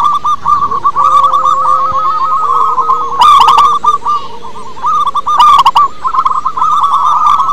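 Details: Zebra dove, local wild strain, singing as a lure for captive doves: continuous rippling coo phrases in fast rolling pulses, briefly interrupted by loud clicking bursts and a faint steady lower hum.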